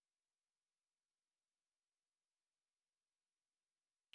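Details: Near silence throughout, with only a single sharp click at the very end.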